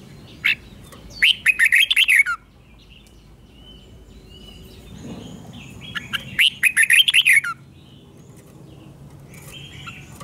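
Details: Red-whiskered bulbul delivering doubled song for young birds to copy: a lone short note, then two bursts of rapid, clear whistled notes with wavering pitch, roughly five seconds apart, with faint background chirps.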